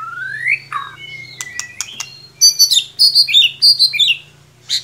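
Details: White-rumped shama lure song for a young chirping shama: a long rising whistle, a dropping note, clicks, then loud rapid buzzy chattering phrases repeated several times, over a faint low hum.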